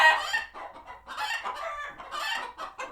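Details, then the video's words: Chickens in a farm sanctuary flock, alarmed by a hawk spotted nearby; short harsh clucks and squawks in quick bursts about every half second, several birds calling over one another. "Chickens Gone Wild | Farmyard Frenzy |Authentic Clucking Sounds"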